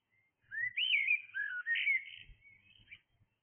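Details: Early-morning blackbird song: a clear fluting phrase of looping, slurred whistles rising and falling, trailing off into softer squeaky notes, with slight low background noise.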